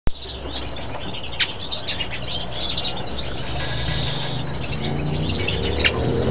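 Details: Bramblings in winter on Chios, Greece: several birds calling together with short, bright finch chirps and chup notes scattered throughout, over a steady low rumble of background noise.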